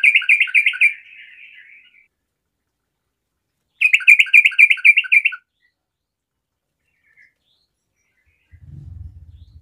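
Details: Sooty-headed bulbul singing gacor-style: a fast run of bright repeated notes trailing into softer twitter, a second crisp run after a pause, then a low thump near the end.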